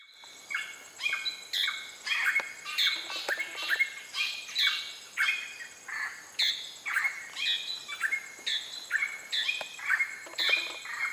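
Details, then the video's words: On Pulau Weh, Indonesia, a greater racket-tailed drongo sings a fast, varied run of ringing whistles and harsh metallic notes, about two a second, over a faint steady insect hum. "Greater Racket-tailed Drongo song"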